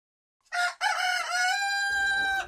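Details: Rooster crowing: a short opening note, then a long steady harmonic crow held for well over a second, loud and clear against silence.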